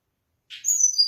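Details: Mangrove blue flycatcher (Cyornis rufigastra), song: a brief, high, thin whistled phrase, a soft rustle sliding into clear piping notes that step downward, in quiet surroundings; a species of tropical mangrove forests.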